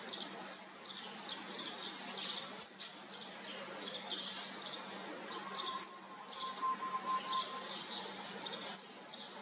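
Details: Fourth-brood olive-backed sunbird chicks being fed, with four sharp, very high chirps spaced two to three seconds apart, soft raspy notes and a thin low whistle between.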